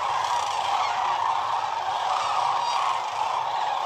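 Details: Enormous sandhill crane concentration on the Platte River at peak northern migration; dense, loud, even chorus of rattling, trumpet-like calls from countless birds, all merged into one unbroken sound.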